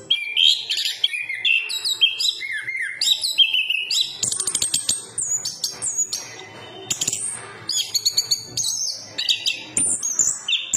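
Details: Song of an anis kembang, the Chestnut-capped thrush: quick sequences of sharp whistles and trills, high-pitched notes sliding up and down, delivered in lively uninterrupted bursts.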